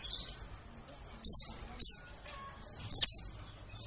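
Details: White-eye call used as a lure to attract birds in the forest: three sharp, very high chirps, each sliding steeply downward, spaced about half a second to a second apart, over quiet background.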